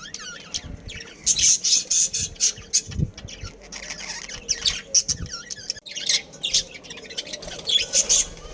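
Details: Captive budgerigar breeding colony in Karachi producing rapid, overlapping scratchy chirps and squawks in repeated bursts, with occasional low knocking sounds.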